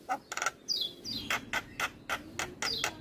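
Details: Javan myna male, known as jalak kebo, singing: scratchy broadband notes alternate with short falling whistles in a choppy, irregular pattern over a low background hum.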